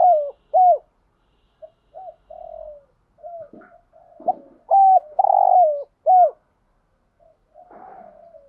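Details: Spotted dove giving a full call set used to lure and stimulate other doves, with urging coos and calling coos: low hollow coos in short phrases, some drawn out, with soft softer notes between.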